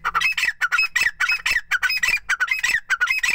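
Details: Grey francolin, a fighter partridge kept in Pakistan, calling in rapid harsh bursts: loud raspy notes repeated nearly twice a second in an uneven chattering series through the whole stretch, no other sounds apparent.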